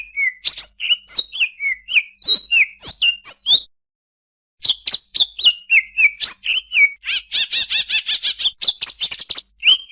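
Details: Greater green leafbird song: a lively run of varied whistled and slurred notes. It pauses briefly near four seconds, then resumes with rapid chattering phrases and dense, buzzy trilled notes toward the end.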